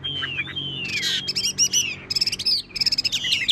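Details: Tame caged Chinese hwamei singing, said to keep singing even when its cage is shaken: loud, varied whistled phrases with long falling slurs, then quick buzzy, rattling notes and rapid rising-falling warbles.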